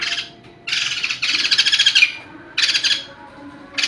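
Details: White-crested laughingthrush, known locally as poksay jambul putih or poksay hongkong, singing in a lively, vigorous voice: loud, harsh, rapidly pulsed chattering bursts in four outbursts separated by short quiet gaps, with a faint low hum beneath.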